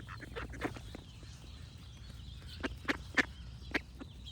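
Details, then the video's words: Ducks quacking in short, harsh bursts, scattered at first and then louder and spaced about a third of a second apart near the end, over a steady low rumble, with faint thin bird notes high above. "Cute Duck Quack Sound Effects with Birds Singing"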